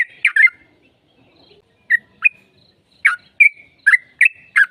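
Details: Lure recording of a sooty-headed bulbul singing in fighting style to coax a reply: scattered liquid whistled notes, some gliding upward, with a gap of near silence before a faster run of chirps toward the end.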